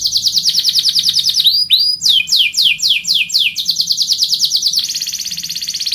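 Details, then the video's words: Rolling canary song, a rapid buzzing trill broken by a few sharp swooping notes, then downward slurred sweeps repeated quickly and a return to a steady fast roll. "kenari ngerol merdu"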